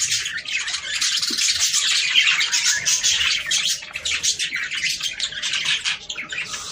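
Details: Breeding-stimulation song of budgerigars: continuous bright chattering warble with rasping squawks, many birds calling at once, fading slightly toward the end.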